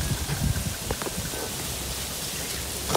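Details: Steady rain patters on surfaces throughout, with scattered louder drips and a low rumble, and no animal voices.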